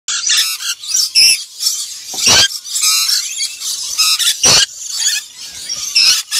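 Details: Black-winged lory (Eos cyanogenia) giving harsh, grating screeches in a near-continuous run, with several loud broadband bursts about every one to two seconds.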